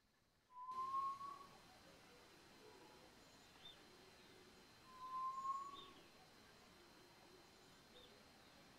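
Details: Male Hill Partridge (Arborophila torqueola) in Landour, Uttarakhand, Indian Himalaya, foraging in oak leaf litter; its woeful call is heard all day. It gives two clear, mournful, slightly rising half-second whistles about four seconds apart over steady hiss.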